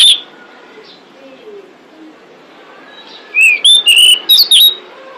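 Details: Female pied bushchat lure call for attracting males: after a single high note and a quiet stretch of faint background birds, a quick run of six shrill, slurred whistles with clicking attacks.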